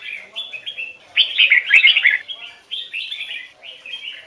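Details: Red-whiskered bulbul in a song-training recording, Hoài Sơn forest double-note style: short warbled phrases, then a loud rich tumbling burst, followed by softer repeated fluty phrases, with an isolated click.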